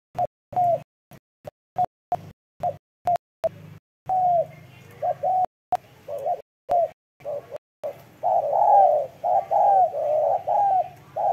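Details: Soft hooting coos of a spotted dove, scattered brief notes at first, then fuller runs of paired and drawn-out falling croons, about one a second, with abrupt gaps throughout.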